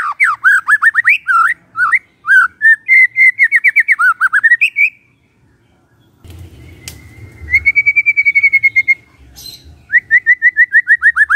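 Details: White-rumped shama morning song meant to provoke a quiet shama to sing: rapid runs of slurred whistled notes, then a pause and steady trills of evenly repeated whistles, with a faint low hum beneath.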